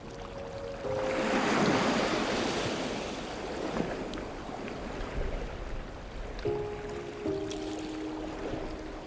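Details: Rushing surf and wind noise swell and fade under sustained musical tones that change pitch in steps, with no animal voice heard.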